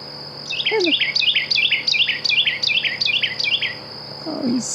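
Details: In the morning at Blue Hole, Wimberley, a Carolina wren pours out a fast, loud rolling chant of about ten ringing, down-slurred phrases, over a steady high insect whine and a brief murmur of voices.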